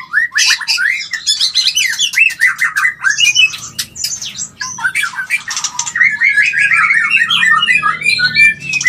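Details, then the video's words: White-rumped shama mating call used to stimulate mating: a dense, fast run of varied whistled slurs and chattering notes, many sharply rising, with brief sharp clicks between phrases. "Suara Panggilan Kawin yang Paling di Suka Murai"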